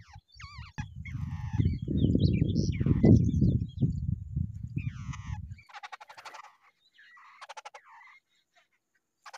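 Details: A wild babbler pair in its nest gives nasal whining notes and dry rattling chatter, with loud low rumbling noise during the first half, then clearer rattles.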